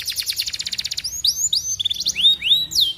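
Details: Canary song that stimulates other canaries to take part: a brisk trill of repeated high notes followed by several looping, upward-curving whistles.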